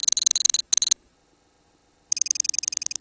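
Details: Ngekek song of colony lovebirds: a quick series of sharp, high clicking pulses forming a trill, a pause of about a second, then the rapid pulsed trill starts again.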